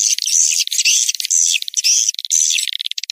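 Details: Swiftlet call recording used to attract swiftlets: fast, high, buzzy twitters and clicking bursts, about two a second, with dense rattling trills running together and no other sounds.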